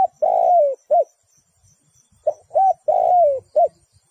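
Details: Decoy spotted dove luring wild doves for trapping, repeating a soft cooing phrase twice: a short coo, a long drawn note sliding downward, then a clipped final coo, with a faint high ticking in the background.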